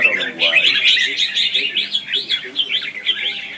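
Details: Red-whiskered bulbul in 'ché' and 'xòe' duel song, used as a decoy to trap and train birds. Quick, lilting warbled notes rise and fall in short arching phrases, about three per second, over quiet background.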